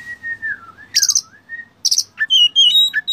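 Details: Oriental magpie-robin tutor song full of fillers: a long, level, thin whistle that dips and rises, broken by buzzy high rattles, then a quick run of bright whistled notes.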